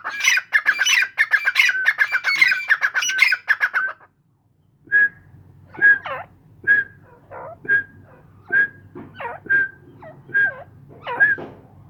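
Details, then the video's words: Several kept Irani teetar grey francolins call together in a dense harsh chorus, then after a short gap a single bird repeats crisp whistled notes with slurred lower phrases between them over a low hum. "Mairay Teetar Ki Awaz"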